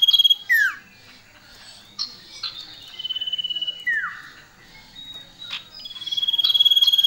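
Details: Male and female common iora calling loudly: drawn-out high steady whistles alternate with down-slurred notes and scattered sharp chips, ending in a long pulsed whistle.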